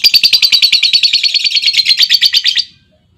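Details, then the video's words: Long trill from a lovebird answering a female's call: a loud, rapid rattling chatter of about nine pulses a second, held steady for over two and a half seconds before stopping abruptly. "SUARA PANCING LOVEBIRD BETINA, LOVEBIRD LAIN LANGSUNG NGEKEK PANJANG Dengan Suara Lovebird Memanggil"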